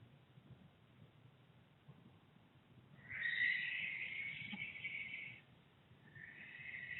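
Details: One of two barn owls house hunting at Charvil, Berkshire, 16 September 2021, gives a harsh, hissing screech lasting about two seconds, then starts a second; a low background rumble runs underneath.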